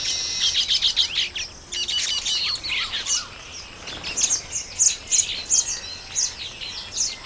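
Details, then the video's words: Baya weavers calling at a colony: quick runs of sharp, dry chirps in bursts, a brief pause, then scattered thin high ticks and chips from several birds. "Baya Weaver. Recorded At Colony. Occasional Outbursts Of Calls From Birds"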